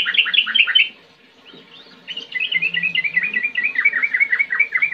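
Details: Sooty-headed bulbul ngetir ngerol song: a rapid stuttering burst of chirps, a quiet second-long pause, then a continuous quick chatter of short whistled notes until the end.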